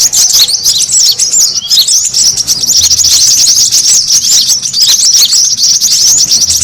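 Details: Brown-throated sunbird lure call, a noisy chorus used to draw birds together and to calm stressed sunbirds: dense, high, thin twittering with overlapping quick chirps and trills, running almost without pause.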